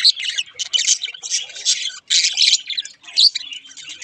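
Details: Budgerigars, including a rare halfsider mutation, singing a dense chattering warble of rapid high chirps and squeaky notes with brief pauses between bursts.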